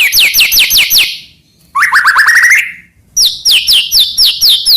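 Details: Murai batu, or white-rumped shama, delivering energetic varied song to provoke other shamas into singing: runs of high falling whistles, a burst of quick rising trilled notes, then another series of loud descending whistles.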